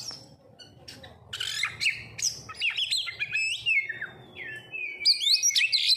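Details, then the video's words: Oriental magpie-robin (kacer) lure song, used to get birds singing vigorously: rich, varied whistles and sharp chirps, with long sliding whistled notes and buzzy trills near the end, over a faint low hum. "Pancingan Kacer langsung auto gacorr"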